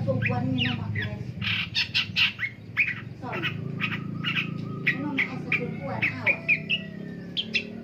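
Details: Long-tailed shrike heard in the morning, giving a busy mix of harsh squawks, scratchy chips and short falling slurs, densely repeated, over a constant low rumble.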